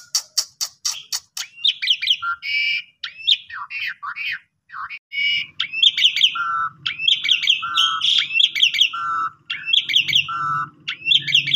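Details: Asian pied starling song meant to trigger singing in other starlings, pumping style: opens with a series of sharp clicks, then varied chattering phrases with repeated low flat whistles, over a faint low hum.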